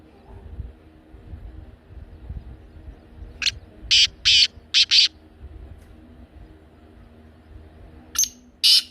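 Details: Black francolin calling, used to rouse a pet francolin into calling: after a quiet stretch, a run of four rasping buzzy notes, then two more harsh notes near the end over faint low rumble.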